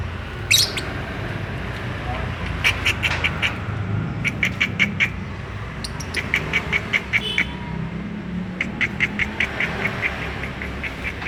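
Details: Courting lovebirds eager to mate give a long series of sharp, high chirps repeated in quick rhythmic runs, pausing and then resuming, with a low background hum and faint speech.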